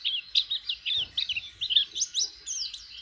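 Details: White-eye (pleci) learning to sing by opening its beak: bright, rapid chirps and twisting high notes in an uneven stream, with a soft low thump partway through.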